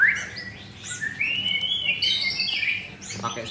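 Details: Adult ringed white-rumped shama, captive-bred and caged in Jakarta, singing a varied phrase: a sharp opening note, then a long wavering whistled passage rising higher, ending in quick chips, with a voice in the background.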